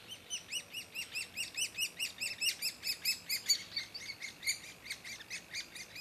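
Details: Woodpecker calling at its nest: a steady run of short, scratchy, buzzy notes, roughly two to three each second, evenly spaced against a quiet background.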